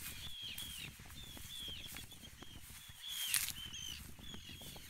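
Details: Arctic terns dive-bombing the recordist at Trékyllisvík on Iceland's Strandir coast give harsh, rasping alarm calls, several sharp high notes in quick succession, over steady wind rumble and a brief burst of noise.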